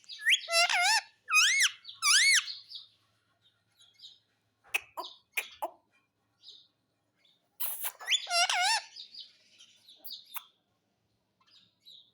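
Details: Pet parrot in a happy mood screeches three quick harmonic squawks that rise and fall. A pause with dry clicking follows, then another burst of squawks and quieter chatter.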